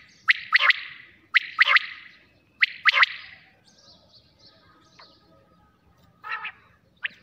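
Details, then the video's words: Quail at night, giving crisp three-note phrases, the first note short and the next two quickly doubled, repeated three times at roughly one-second intervals, then softer scattered chirps and a brief harsh note. "batair Bulara"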